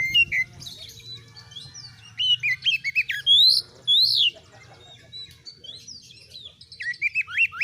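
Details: Oriental magpie-robin singing to test other birds' nerve and turn them into fighters: scattered whistles, then loud swooping rising whistles, a pause, and a final run of quick twisting slurs.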